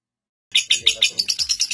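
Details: Lovebird with a record-breaking ngekek song of seven minutes non-stop, kept as a master bird for training young lovebirds; a brief burst of rapid, harsh, high chattering notes repeated about six times a second after a short silence.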